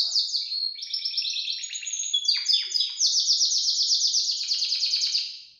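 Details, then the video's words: Belgian canary singing outside its cage: a sustained, loud song of fast repeated high notes, shifting between trill patterns, then ending in a long even rapid trill that fades out. "Canário Belga Canta Muito Fora da Gaiola"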